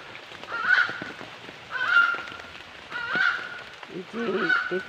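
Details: Repeated honking bird calls, nasal and slightly rising, four notes spaced over one second apart, with faint low murmuring in the background toward the end.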